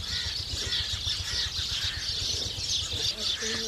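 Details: Feeding house sparrows chirping together in a busy, unbroken twitter of short high notes, with a low humming background and a brief deeper tonal sound near the end.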